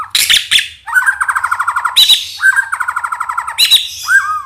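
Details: Medan white-rumped shama singing, a recording used to train fledglings and coax them into song: fast buzzy trill runs alternating with sharp high chirps, each trill lasting about a second, repeated several times.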